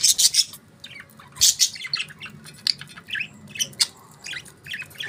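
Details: A group of budgerigars chirping: loud raspy bursts at the start, then a steady stream of quick, squeaky twitters and warbled notes.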